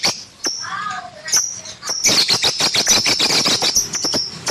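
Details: Pet lovebird giving a few thin whistles and squeaks, then breaking into loud, rapid, rasping chatter of high chirps for the last half.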